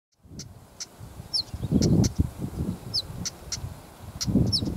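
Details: A female Siberian stonechat, anxious near her nest, gives hard, clicking 'tak' alarm notes about every half second, mixed with a few thin, high whistles, over low rumbling wind gusts.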